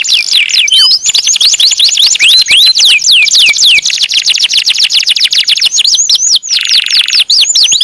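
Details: Caged canary singing loudly and without pause: rapid high sweeping notes and fast trills pour out continuously, with a brief buzzy rolled section near the end.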